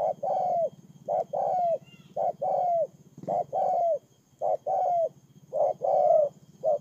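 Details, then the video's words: Decoy spotted dove used on the ground, Kon Tum province, Vietnam, September 2018, giving a run of soft three-part coos. Clipped lead-in notes slide into a sustained mellow coo that dips at the end, repeated regularly against a low droning hum. "CU GÁY PHƯƠNG QUÝ KON TUM"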